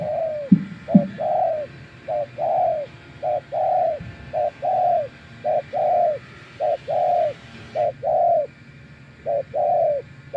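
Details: Long rhythmic sequence from a wild spotted dove answering a decoy: about seven evenly paced pairs, each a short coo then a longer falling coo, with a few low thuds at the start.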